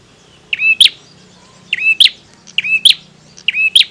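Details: Four rapid phrases from a singing male bar-winged prinia, each a rising whistle snapping into a sharp high click, close and clear against a soft low hum.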